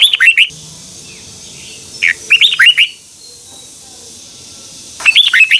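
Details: A Red-whiskered bulbul performs its morning training song in the twisting double-voice style, recorded in 2021 for lure-bird use. Repeated brisk phrases of swooping, chirpy whistles are broken by short pauses, over a low background hum.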